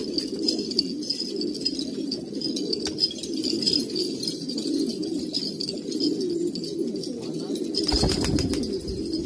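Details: Many pigeons of an old Kabul breed, Afghanistan, cooing continuously in a dense low rumble of throaty coos; a brief metallic rattling clatter breaks in near the end.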